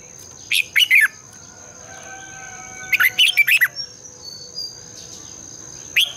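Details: Red-whiskered bulbul singing in the morning to spur other birds: short rich warbled phrases of several notes roughly every two and a half seconds, with faint thin tones between them and a continuous high whine.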